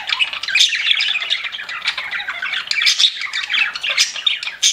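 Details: Several pet budgies chatter nonstop in a busy flock of rapid, raspy chirps, squeaks and warbled notes, high and rough, with brief sharper peaks toward the end.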